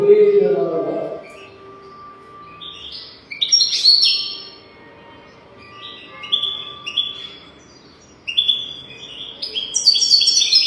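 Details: European goldfinch song on a track for teaching young goldfinches: a brief low voice-like sound opens, then phrases of high whistled and twittering notes with pauses, ending in a dense sparkling jangle.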